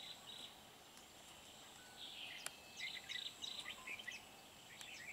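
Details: Red-whiskered bulbul decoy singing to fight rivals during trapping at Núi Đá, Hòa Bình, Vietnam, on 13 March 2019: short bright chirping, warbled phrases bunched mid-clip over steady hiss and a thin high continuous tone.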